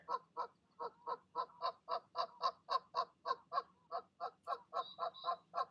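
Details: Goose parents urging goslings to jump from the nest in the evening, giving rhythmic loud nasal honks about four each second, with thin whistled peeps late on.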